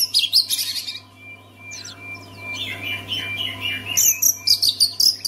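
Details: Oriental magpie-robin song used to make other magpie-robins sing: bursts of high, scratchy, rapid notes, a quieter warbling middle passage, then loud clipped chirps repeated about twice a second, with a steady low hum beneath.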